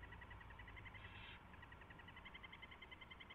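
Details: Owl at the nest during mouse delivery and feeding, early morning of 24 February 2016: a fast, steady train of ticking chitter notes, roughly three or four per second, broken once by a hissing screech.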